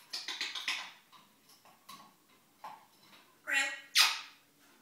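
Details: Male pet African grey parrot gibbering to himself in the morning: a rapid burst of raspy clicks and squawks, scattered softer mutterings, then two loud harsh squawks near the end.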